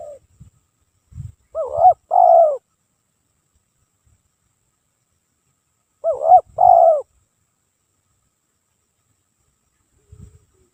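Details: Spotted dove song for luring, sung without pause: two-part coo phrases about four seconds apart, a wavering note then a falling one, with long quiet gaps and brief low knocks.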